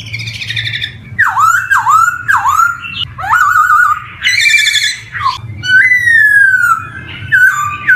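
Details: A black-throated laughingthrush, singing as a lure for young birds starting out, repeats swooping whistled notes that dip then rise, adds a warbling trill and a long gliding whistle; faint low hum in the background.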